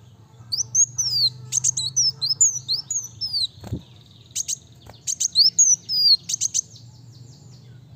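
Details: Kolibri wulung sunbird singing: clusters of high buzzy ticks and thin downslurred whistles, a quieter stretch with a soft thump, then a second lively burst.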